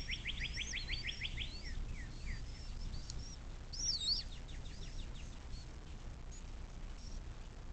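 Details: Bald eagle on a nest camera along the Little Miami River in southwest Ohio, evening: a quick string of roughly nine high piping notes opening the recording, then a few descending chirps and scattered songbird whistles over low background noise.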